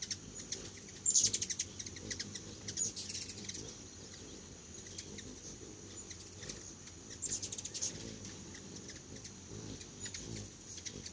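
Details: At a feeder with homemade food, hummingbirds make sharp, high chattering bursts near the start and again later, with sparse ticks between them over a constant thin high whine.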